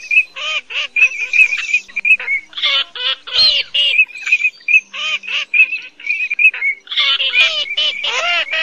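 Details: Cotton pygmy geese, both sexes, calling for use as a lure in night netting of migrant birds during August 2024: continuous hoarse, nasal cackles in quick irregular series, with short high pips between them.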